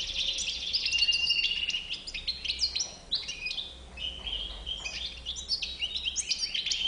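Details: European goldfinch described as white-bearded (bouc blanc), its song a lively run of tinkling, clipped twitters and short level whistles. Bursts of quick chattering notes alternate with brief pauses, against a quiet background hum.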